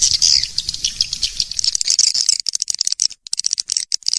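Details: Swiftlet attraction call: steady shrill twittering that breaks after about two seconds into fast, crackling high chirps and clicks.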